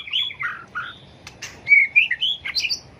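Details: Short burst of White-rumped shama fighting song, tail-flicking bird, for training singers: a few full whistled notes, two sharp clicks, then clear rising and falling whistles.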